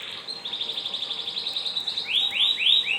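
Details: Canary tutor song for training young canaries to sing quickly: a fast, even trill of high notes, about four per second, then breaking into loud upward-sweeping whistled notes.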